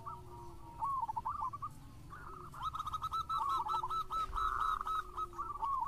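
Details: Local zebra dove singing as a lure recording, heard over a noisy background: a long rapid series of bubbling coo notes, rising in strength toward the end, with a faint low hum.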